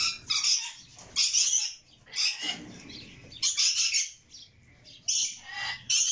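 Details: Begging red lory chicks: bursts of scratchy, hissing squawks, each lasting about half a second, coming roughly once a second with short silences between.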